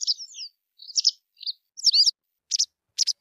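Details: White wagtail singing: short twittering chirps and slurred notes in bursts, ending with two sharp doubled chips about half a second apart; no other sounds.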